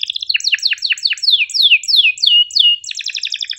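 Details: Active canary song for teaching birds that struggle to sing: a series of about nine loud downslurred whistled notes roughly three per second, ending in a rapid buzzy high trill.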